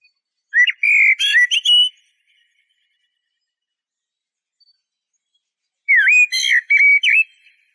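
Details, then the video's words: Song of the Eurasian blackbird: two phrases about five seconds apart. Each opens with low fluty whistles and breaks into thin, scratchy high twittering, against complete silence. "تغريد طائر شحرور (جحمومية)Merle noir"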